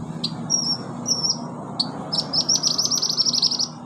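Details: Olive-backed sunbird, a caged-bird singing prompt: a few thin descending whistles, then a rapid buzzy trill of high notes running over a second, against a low background hum.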